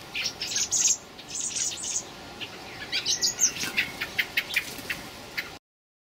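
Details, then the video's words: Young common blackbirds, fledglings, begging on 26 May 2018: high, sharp chirping notes in rapid clusters, rising to a busier run of short squeaky calls before abruptly cutting off. "Blackbird Young"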